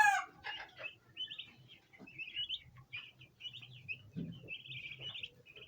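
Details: Baby bronze turkeys, a domestic flock, gather around a basin of ornamental plants hoping to feed. After a loud opening sound, high chirps follow one another in a lively, uneven sequence.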